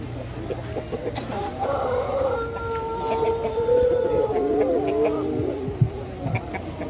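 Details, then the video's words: Pelung chicken at the first Pelung chicken contest held in Banyumas, at a durian agritourism site in Karangrau village: one long, drawn-out harmonic crow lasting about four seconds that steps down in pitch near its end, over background crowd murmur. "Kontes Ayam Pelung Banyumas"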